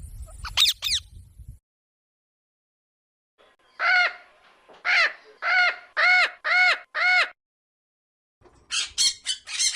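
A parrot gives loud, harsh, rasping squawks in a run of about six, each half a second long, with shrill screeches before and after.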